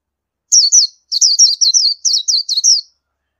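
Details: Oriental white-eye delivering about nine thin, high slurred notes in three close groups, a soft wavering twitter with a clean, silent background.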